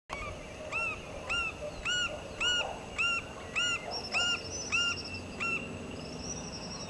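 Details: Green-barred woodpecker at its nest giving a series of about ten loud, nasal, arched notes, evenly repeated roughly every half second, with a thin high buzzy trill from another creature in the background.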